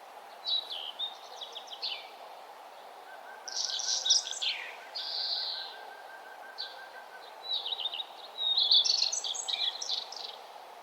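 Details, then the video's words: Morning chorus on a nature trail at sunrise: scattered high chirps and trills, a loud burst of jumbled twittering, a soft, rapidly repeated pulsing note, then a lively cluster of sharp chirps near the end, over a steady low hiss. "birds singing and the sun arising"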